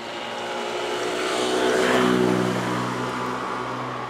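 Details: A car passes close by, its engine noise swelling to a peak and fading away, with no animal voices audible.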